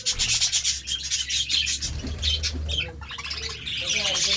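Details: Budgerigars feeding on seeds and vegetables: dense, warbling chirps and chatter, high-pitched and continuous, mixed with scratchy rubbing and pecking noises throughout.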